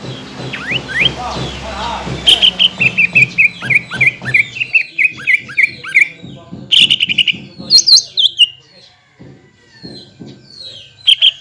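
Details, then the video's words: Greater green leafbird lure song, played to prompt untrained and group-kept leafbirds to answer: a fast run of short, sharp, downslurred chirps, then higher squeaky notes over a low steady hum. "PANCINGAN CUCAK IJO AGAR BUNYI BUAT CUCAK IJO BAHAN DAN OMBYOKAN LANGSUNG NYAUT"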